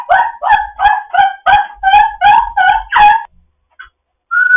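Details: Foster African grey parrot in morning chatter, repeating a harsh, harmonic, bark-like call nine times at an even pace of about three a second, followed by a short pause and a level whistle.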